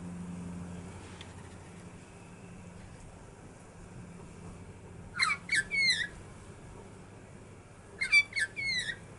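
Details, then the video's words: Magpies, one with a crippled leg, calling in two short bursts of harsh, ragged chattering notes a few seconds apart, over a low background hum. "Magpies singing"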